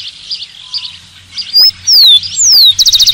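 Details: Rufous-collared sparrow song with a brief high note, two drawn-out downward-sliding whistles, then a quick trill of even pulses. Soft chatter from other birds runs underneath.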